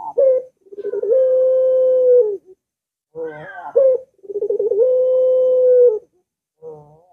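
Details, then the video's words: A Barbary dove, played to prompt silent or lazy doves to coo, coos twice, each phrase a short rolling purr steadying into a long, level, mellow note held over a second. "Puter Macet Puter Malas Bunyi Langsung Ngaut"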